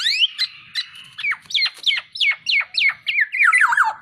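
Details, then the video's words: A tame black-naped oriole in vigorous song gives a quick run of slurred, falling whistles, about three a second, each dropping from high to mid pitch, with a few harsher notes. "KEPODANG EMAS JINAK GACOR"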